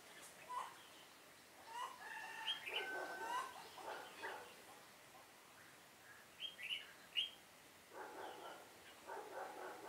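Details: Red-whiskered bulbul recorded during trapping on 7 September 2018, singing a decoy-style fighting song: short bursts of quick, slurred whistled notes, mid to high pitched, separated by pauses, with broadband rustling bursts near the end.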